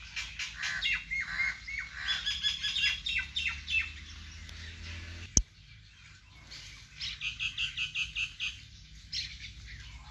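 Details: Birds chirping in a vegetable garden, bursts of rapid high chirps and trills in two main bouts separated by a quieter pause, with a single sharp click midway and a low steady hum underneath.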